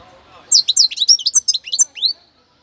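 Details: A young European goldfinch from Cádiz sings a quick, tinkling twitter of about ten bright, high notes in under two seconds, after a faint low murmur.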